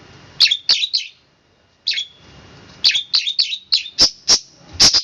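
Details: Long-tailed shrike singing roll speed rapat, a rapid, dense rolling style: sharp, high chirps with falling tails, first in a short group, then after a pause in a quickening run.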